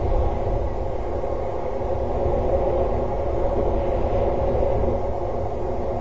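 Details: Dense, steady low rumble like traffic or machinery fills the whole stretch, with no distinct animal calls.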